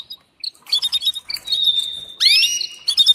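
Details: Short sequence from a female canary calling the male to mate: quick squeaky chirps, a steady thin whistled tone, then a bright arching sweep.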